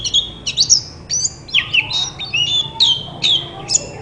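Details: Shama song meant to make a quiet white-rumped shama respond: bright whistles sliding down in pitch, sharp upsweeps and varied chirped phrases following each other rapidly, with soft low background hum.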